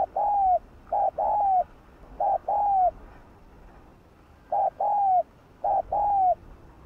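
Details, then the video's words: Cooing spotted dove, played to excite and attract other doves: paired hollow coos, a brief note then a drawn-out falling one, given in three bursts separated by a pause of nearly two seconds; faint hiss behind. "tiếng chim cu đất gáy kích bổi"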